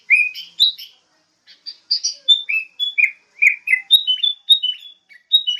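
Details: Sooty-headed bulbul song of rich fluty notes, some rising and some falling, given in loose groups with short pauses, bright and clear against silence.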